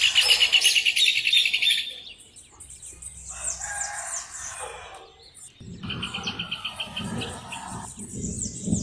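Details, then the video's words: Rufous hornero giving two bursts of fast, ringing, repeated high notes, one loud at the start and a softer one later, separated by quieter chirping and background noise. "CANTO DO JOÃO DE BARRO 🐦 SOM DO JOÃO DE BARRO CANTANDO"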